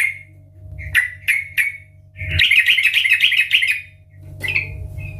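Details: Sooty-headed bulbul singing loudly in the ngeplong garuda style, used as a lure to prompt bulbuls to sing: three short slurred whistled notes, then a long rapid bubbly chatter, and a final whistle, over a low steady hum.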